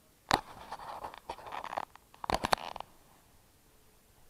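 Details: Crackling, rustling bursts like handling or brushing against foliage come in two clusters, then fade to quiet background; no animal call is heard.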